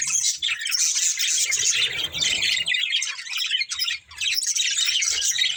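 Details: Budgerigars of a breeding pair in steady chatter, overlapping buzzy chirps and squawky notes throughout, with soft low rustling around two seconds and brief dips in loudness near four seconds.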